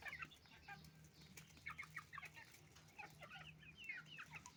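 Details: Chicken-farm flock of roosters and hens feeding on rice, giving dense, rapid clucks and brief squawks from several birds at once, plus sharp pecking taps and a low droning hum.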